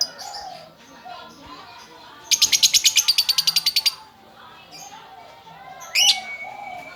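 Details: Gacor female lovebird bursts into a quick, buzzy rattle of rapid high notes lasting under two seconds, then falls quiet before one sharp rising squeak near the end.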